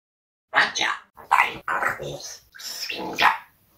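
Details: A talking parrot rattles off several quick, raspy bursts of mimicked Russian speech, including asking for a like and demanding a watermelon.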